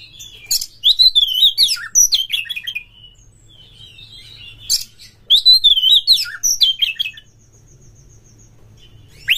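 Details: An Oriental magpie-robin sings two rich bursts of varied whistles and buzzy notes, each lasting about two seconds, with a faint low hum behind; used as a lure to provoke fighting song in other magpie-robins.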